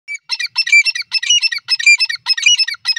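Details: Grey francolin calling: a loud, ringing series of squeaky, multi-toned phrases repeated steadily about every half second, each a tight cluster of shrill notes, with no other sounds.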